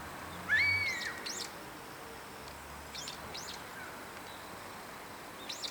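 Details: Brown-eared bulbul calling high in a tall park tree in winter, exchanging calls with other bulbuls nearby: one loud, drawn-out arched screech, followed by fainter, higher, short calls from the other birds, over steady background noise.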